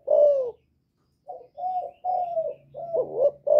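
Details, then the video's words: Spotted dove cooing in the Thổ voice to lure and provoke wild males: one strong falling coo, a pause, then a string of rolling, throaty coos. "Cu Gáy Giọng Thổ GÁY GỌI kích bổi"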